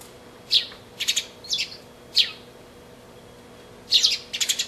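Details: Two sparrows kept together as a pair, 20 March 2012, giving sharp high chirps singly and in quick clusters of two or three, separated by brief pauses, against a quiet hum.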